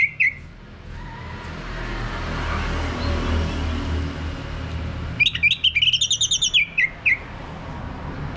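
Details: Orange-headed thrush lure song to get a male singing ngeplong. A brief whistle opens, followed by a long stretch of low rumbling hum. A quick chattering run of bright, repeated notes then climbs and ends on a falling whistle.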